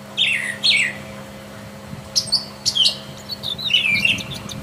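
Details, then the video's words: Free-living Brown Thrasher singing two matching phrases close together, then a series of sharp high notes and one more descending phrase, with a faint steady hum behind. "Seribu kicau..!!"Brown thrasher"Burung termahal.Gacor di Alam liar."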